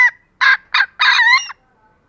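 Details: A vocal green junglefowl hen, suited as a lure to provoke reluctant males, gives three harsh, loud bursts, the last drawn out with a rising nasal tone; a brief scratchy note starts the sequence.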